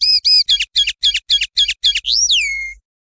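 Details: Swiftlet calls for tutoring songbirds: two clear chirps, a run of harsher clicking notes, then a long whistle that slides downward and fades out.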